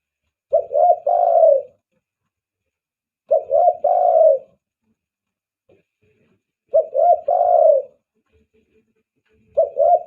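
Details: Spotted dove used as a catching lure, banggo type: a mellow three-note coo phrase, two short notes then a longer drawn coo, delivered four times at steady intervals of about three seconds.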